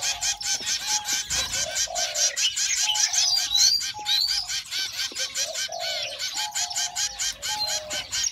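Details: Begging zebra finch chicks, hungry, give rhythmic rasping calls about twice a second, mixed with brief rising whistled slurs and a low steady tone in the background.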